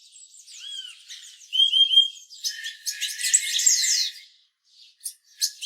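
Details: Purple-throated euphonia: a mix of high thin chirps and short whistled notes, some bright tonal notes near the middle and a dense burst of buzzy chatter, then a few sharp isolated chips.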